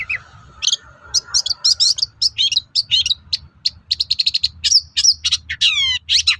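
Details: Long-tailed shrike song used as a lure for other shrikes: a busy, chattering medley of sharp chips, buzzes and down-slurred whistles, closely packed and irregular, over faint low rumble.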